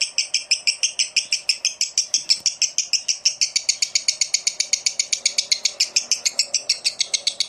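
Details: Lovebird giving a long continuous chattering run, a rapid even series of harsh high notes repeated several times per second for the whole stretch, with no other sounds, used to prompt other lovebirds into sustained song.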